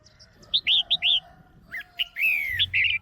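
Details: Caged female red-whiskered bulbul calling to rouse a male or for pairing: four rounded, warbling notes, a brief gap, then a louder burst with a long falling whistle and a rolling final note.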